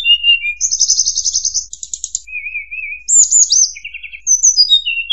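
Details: Tledekan gunung lure song for trapping birds: loud buzzy rattling trills, a low wavering warble, looping high slurs and a quick series of short falling whistles.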